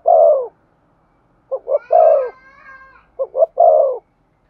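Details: Rousing coos of a spotted dove aimed at a decoy bird: low three-part phrases, two clipped notes then a sustained coo, with a thin higher wavering tone heard briefly in the middle.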